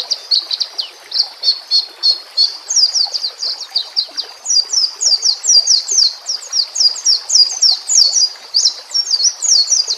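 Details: White-rumped shama song recorded for training captive songbirds, set with nature sounds and trickling water; a fast run of short, sharp, high notes repeated several times per second, uneven in rhythm, continuing for the whole ten seconds.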